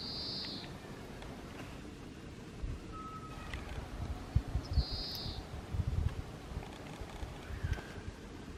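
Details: Japanese pygmy woodpecker in the grounds of Jihōin temple, Kasaoka City, calling after a warbling white-eye: short buzzy squeaky notes high in pitch, two separated calls, with thin faint whistles and steady low rumbling background noise.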